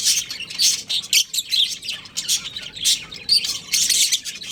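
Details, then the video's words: Breeding pair of pet budgerigars chirping: rapid, high, grating warble with squeaky notes, near-continuous bursts. "Adorable Budgies Chirping Sounds"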